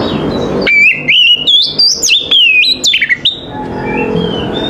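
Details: Oriental magpie-robin (kacer) in the morning: a continuous phrase of clear whistled notes stepping up and down, loud and bright, fading into softer background chirps.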